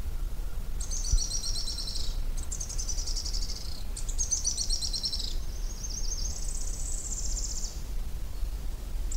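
Araucaria tit-spinetail giving very high, dry, rapid trills in bursts of about a second, repeated several times over a low background rumble.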